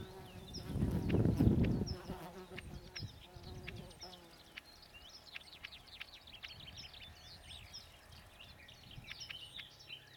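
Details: A Bluethroat on the Kudma River, Kstovo district, Nizhny Novgorod region, Russia, on 4 June 2014, sings a fast, varied stream of short high chips, clicks and thin whistles; a loud low buzz or rumble covers the opening seconds.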